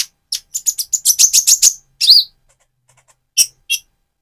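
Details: Van Hasselt's sunbird, a speckled-plumage bird in active song, used to provoke another sunbird: a fast run of sharp, very high chirps, then a descending squeaky note and two final high chips.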